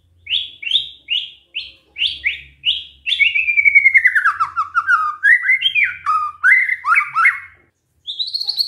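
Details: White-rumped shama (murai batu) singing a repertoire that mimics canary song: six short rising whistled notes, then a fast descending buzzy trill and varied sliding whistles, with a faint low hum underneath.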